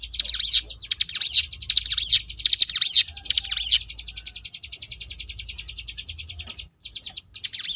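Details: Sunda bush warbler (ciblek gunung) singing the ngebrem variation style, used as a tutor recording for competition birds: rapid buzzy high trills with swooping, looping notes in bursts, briefly broken near the end.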